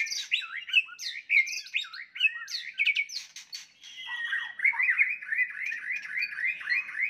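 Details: White-rumped shama fighting song intended to raise a rival's anger; fast looping whistled phrases, then a long run of rapid chattering notes repeated steadily.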